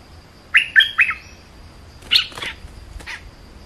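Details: Bulbul gives three quick, liquid warbled notes, then a rougher, burry phrase after a short pause, with a single faint click near the end.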